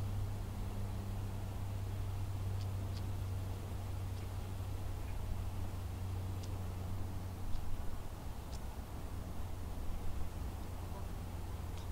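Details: Only a steady low rumble of engine or wind noise with a few faint ticks, and no animal calls.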